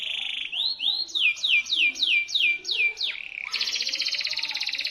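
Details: Shrill local canary song in the loper style, used as a lure for quiet canaries: rising whistles, then six clear downslurred notes in quick succession, followed by a dense, buzzy, high trill.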